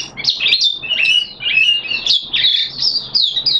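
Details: Energetic song from a caged oriental white-eye, recorded 13 September 2022 on the second day of deworming; loud, rapid, rippling high warbles with slurred up-and-down notes in near-continuous phrases.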